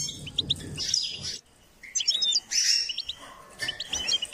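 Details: Song of a goldfinch being stimulated to sing: quick tinkling phrases and sharp chips, a brief pause, then more twittered runs with thin whistled notes; faint low rumble early on.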